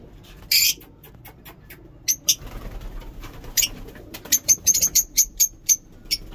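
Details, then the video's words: Lovebirds singing in a mini zoo in the morning: scattered sharp high chirps, then a run of short bright clicking notes repeated about five times a second near the end, over a quiet low background hum. "Lovebird ngekek lovebird singing in mini zoo"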